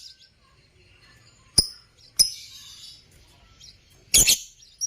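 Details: Parblue African lovebirds kept for breeding give three sharp, shrill chirps spaced over a few seconds, each a brief burst ringing high with a thin tonal tail, separated by quiet stretches.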